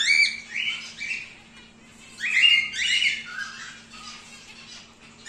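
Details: Captive breeding pair of wild-type grey cockatiels producing loud grating squawks, a burst at the start and another after a short quiet gap, with fainter chatter trailing off; faint steady hum underneath.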